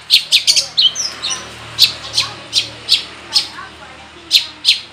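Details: Long-tailed shrike in lively full song with imitated material, played to lure other shrikes into singing: loud, bright chattering notes fired in quick clusters, then spaced single sharp chips about every half second.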